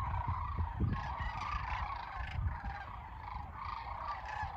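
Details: Many sandhill cranes calling together at Kearney, Nebraska, March 28, 2022, producing a steady overlapping din of rattling bugles, with strong low-frequency wind buffeting throughout.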